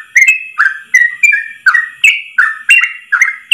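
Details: Yellow-vented bulbul singing a long 'ropel' song in one breath, a master recording for training other bulbuls: a brisk run of about nine clear whistled notes, each sharply attacked then sliding, alternating higher and lower pitches over a faint steady hum.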